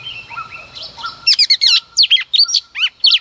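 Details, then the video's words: A female Oriental magpie-robin sings early in the morning to stimulate a male. Softer sliding whistles give way to loud, varied, high whistled and chattering notes in quick, irregular bursts. "Choè than mái hót kích trống hót căng sáng sớm"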